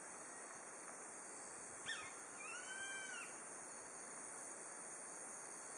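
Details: A single call of a Grey-faced buzzard at dusk on the Nishiamuro pass, Kakeroma Island, Amami Oshima, in autumn, the season's first heard there. A sharp clipped note leads into a longer, rising-then-falling whistle over a constant insect drone.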